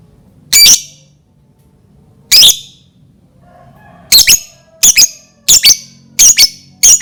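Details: Lovebird bait call to get other lovebirds singing: two isolated shrill squawks with long pauses, then a quickening string of doubled, piercing chirps, over a soft low hum.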